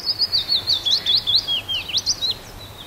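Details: Willow warbler song, loud and close: a rapid run of about fifteen sweet slurred whistles, each swooping up and down, gradually descending through the phrase, with faint background noise.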